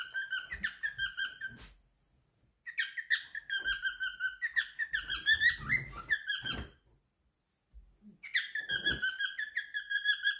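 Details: Male pet cockatiel, three years old, singing his favourite song indoors: bursts of clear whistled notes around a steady pitch with rich harmonics, phrases lasting one to two seconds separated by short pauses, a few soft thumps and clicks between phrases.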